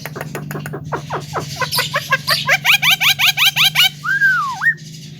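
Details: Javan myna song used to rile other birds: quick clicks give way to a steady series of rising notes about every third of a second, ending in a long wavering whistle over a low hum.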